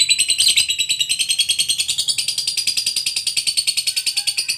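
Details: A fighter lovebird in top singing form keeps up its long ngekek trill: an evenly pulsed, high, rattling chatter, several pulses each second, running without a break.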